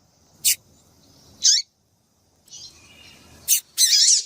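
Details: Calls of a female variable seedeater meant to excite a male: a few sharp, high chirps, one sweeping downward, ending in a longer, louder, buzzy high note.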